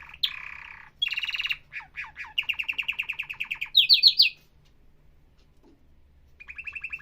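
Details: Atlantic canary singing a varied song: buzzy broadband bursts, quick rapid trills of short notes, then a high sharp roll and a steady trill after a brief pause, all clear and close with a faint low hum behind.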